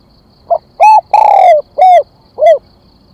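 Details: Luring call of a decoy spotted dove: five low coos in one phrase, a quick opener, an arched coo, a long coo falling in pitch, then two shorter rounded coos, loud and clean.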